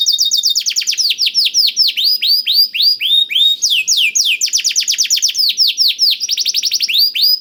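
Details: Canary tutored with blackthroat song, a lure to get canaries singing; a continuous stream of rapid downslurred notes, about four per second, with pitch shifting between phrases.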